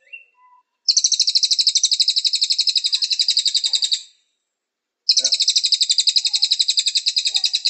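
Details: Cililin singing in a training recording meant to make birds sing: two sustained high, rapid pulsed trills of about three seconds each, separated by a second of silence, opening with a faint short note.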